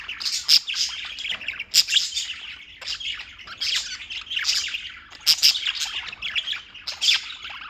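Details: Continuous chirping by several birds in New York, quick piercing tweets mixed with harsher squawks, crowded together in a lively unbroken chatter with periodic louder bursts.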